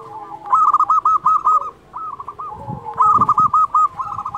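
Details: Prolific local zebra dove song used as a master recording to coax silent doves into singing: two bright phrases of quick bubbling coo notes, about ten per phrase, separated by a quieter gap with a lower sliding coo beneath.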